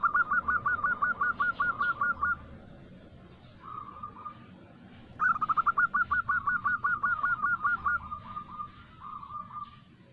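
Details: Local female zebra dove calling a male, used as a lure. Two clear runs of rapid staccato coos, each ending in softer drawn-out notes, over a faint background hum.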